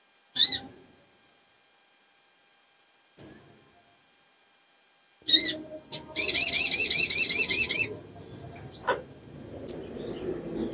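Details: Sogok ontong female in breeding condition calling to lure males: sharp high chirps spaced apart, then a fast wavering trill for almost two seconds, followed by scattered short notes.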